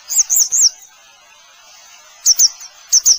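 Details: Grey wagtail: a quick run of three high, slurred chirps, a pause, then two more short pairs of sharp metallic notes.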